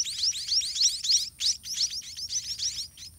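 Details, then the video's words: Begging white-rumped munia chicks in their nest at feeding time, parent regurgitating food; fast, overlapping, high-pitched rising chirps pour out almost without pause. "White-rumped Munia Hatching & Feeding Babies in Nest"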